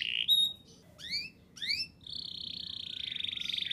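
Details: Canary ngerol nembak song meant to prompt young canaries to sing, heard more quietly: a short whistle, two upward-swept double notes, then a long steady buzzy trill.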